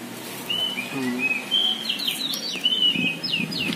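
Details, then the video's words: Poci-type Oriental magpie-robin, a caged contest bird, delivering a run of whistled notes, some steady and some sharply rising or falling, over a soft low background murmur and brief low voice sounds. "BURUNG KACER POCI GACOR DOR"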